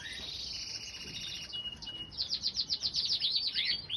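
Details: Nest of two tiny common crossbill chicks fed by their mother, spring 2020; a thin high drawn-out whine gives way to a rapid rhythmic series of bright chirps.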